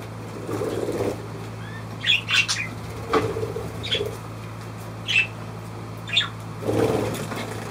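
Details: Budgerigar giving short, scattered high chirps about once a second, with low murmuring in the background and a constant faint hum.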